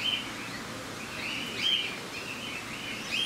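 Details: Brief burst from an Australian king parrot, Campbelltown Forest of Wild Birds, Saitama, 31 March 2018: rough, chattering notes interspersed with a few piercing whistles, over faint outdoor hiss.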